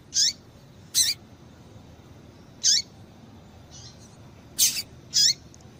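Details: A female double-collared seedeater gives short, high, sharp chirps, five spaced irregularly about a second apart, over a faint low hum; this female call is played to stimulate male seedeaters into singing.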